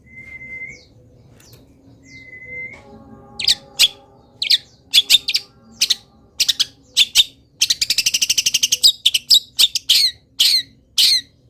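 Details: Long-tailed shrike, a vigorously singing bird with a full repertoire of wild-bird imitations, still singing while moulting: two level whistled notes, then a varied run of sharp chirps and a fast dense trill.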